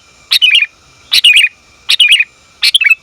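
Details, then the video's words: Sooty-headed bulbul female calling the male, a lure recording for bulbuls; four lively bursts of tumbling chirps within three seconds, each starting high and sputtering down through a few quick notes. "Suara Burung Kutilang Betina Memanggil Jantan"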